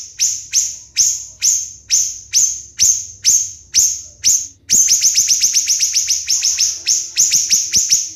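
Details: Siri-siri bird singing for a contest training recording, first spaced shrill falling notes about every half second, then a tight rapid volley of high ringing strokes.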